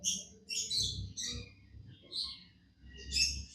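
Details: Happy pet budgerigar giving a few thin, high chirps and short squeaky twitters in separate bursts, fairly quiet, with low room noise beneath.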